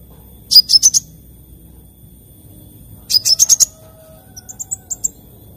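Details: Lively morning sunbird song: two short bursts of rapid, very high chirping notes, each about half a second long, followed by a softer run of thin high tinkling notes at the end.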